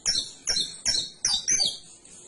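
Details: Canary singing five clear, high tonal notes with bright overtones, one about every half second, the last ones stretched into short whistled slides.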